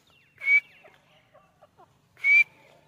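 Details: Grey partridge calls: two short, harsh, grating notes with a thin whistled edge, about two seconds apart, over a quiet background.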